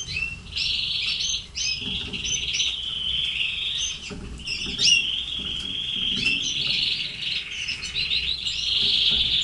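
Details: Red canaries kept in captivity; a continuous high warbling song with rapid trills and chirps running throughout, a few brief pauses, steady and bright.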